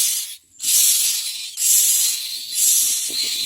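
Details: Hungry yellow myna nestlings being fed by a parent carrying a white-flecked morsel. Loud, breathy, wheezing hisses come in sustained bursts with short gaps, over soft scratching in the nest.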